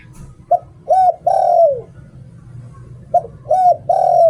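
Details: Caged decoy zebra dove giving its "liu tan" song style: a clipped coo, a rounded coo, then a long sliding downward note, repeated after about a second of quiet; low background rumble.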